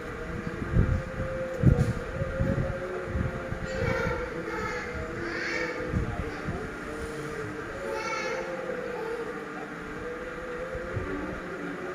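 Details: A low rumbling train passes with clanking thumps, while indistinct human voices murmur in the middle, and no animal calls are heard.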